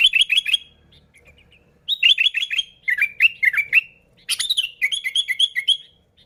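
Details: Sooty-headed bulbul song meant to attract bulbuls: three lively phrases of fast repeated chirps, each roughly a second or two long, bright and bouncing in pitch.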